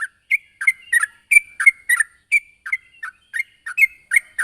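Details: Rival-calling sooty-headed bulbul in full voice: loud, choppy chirps and quick doubled notes repeated about three times a second, some slightly slurred downward.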